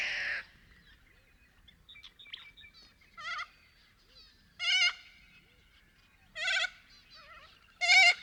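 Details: Little corella, a small cockatoo, in Paroo-Darling National Park in the Australian outback: loud harsh wavering screeches in four bursts roughly every one and a half seconds, with softer chatter between them.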